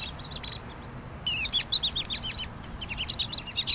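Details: Pygmy nuthatch with soft high peeps, then a loud burst of sharp squeaky notes followed by quick twittering chatter that keeps going in uneven bursts.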